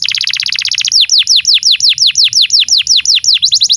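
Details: Canary song played as a masteran tutor recording for young canaries and canaries that have stopped singing: a very fast, tight trill of high notes, then a steady run of loud, sharply down-slurred whistled notes, about five per second.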